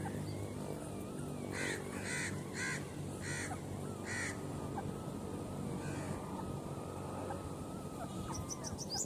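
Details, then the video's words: Grey francolin pair, male and female, giving five harsh, rasping notes in a quick sequence, then a fainter one. Steady low background rumble, with some thin high clicks at the end. "grey francolin Birds sound male and female voice"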